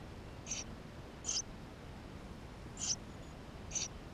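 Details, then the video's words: Tree sparrow chicks inside their nest on a GoPro recording give four short, high, slightly scratchy squeaks at uneven gaps, with low hiss in the background. "Воробей полевой 160416 2 в №2016 6 160528 GoPro1440p птенцы внутри"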